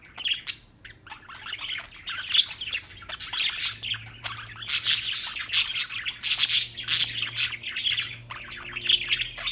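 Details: Continuous chirping from pet birds in New York: a steady stream of shrill tweets mixed with harsh squawks, thickening into loud clustered bursts midway through.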